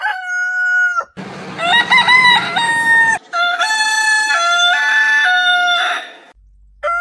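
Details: Heritage chicken breed roosters crowing back to back: a level crow, then a rougher, noisier one with stepped pitch, then a long wavering crow that fades out.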